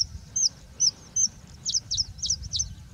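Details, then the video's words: Bushlark singing in its habitat, a series of thin high whistled notes, first spaced slowly then quickening into rapid sharp downslurred chirps, over a low rumbling background. "Singing Bushlark"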